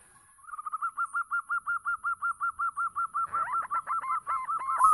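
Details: Local zebra dove in vigorous song, used to lure other doves. A long, even string of short cooing notes, about four per second, ends in a richer, rolling flourish.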